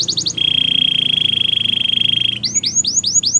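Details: Belgian canary singing a few quick rising notes, then a long steady ringing trill lasting two seconds, followed by loud repeated upslurred whistles.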